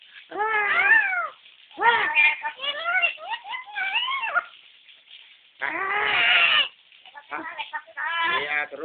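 A lory imitates a crying baby in wailing, rising-and-falling bursts about a second long, repeated several times with short pauses.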